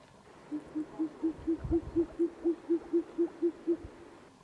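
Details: Short-eared owl (Asio flammeus) giving its territorial call in Poland on 22 June 2024: a steady run of about thirteen deep, soft hoots, evenly spaced at roughly four per second, over faint background noise.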